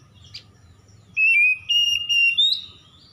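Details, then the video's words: Dawn song of an oriental magpie-robin (kacer), played to spur stressed birds into singing: one soft chip, then a long series of smooth whistles climbing gently in pitch over a low background hum. "PANCINGAN KACER EMBUN PAGI"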